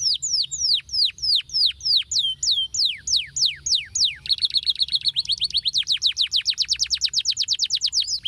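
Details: Male canary singing to prompt silent canaries to sing: spaced loud downslurred whistles about twice per second, then a dense fast trill of short falling notes lasting several seconds.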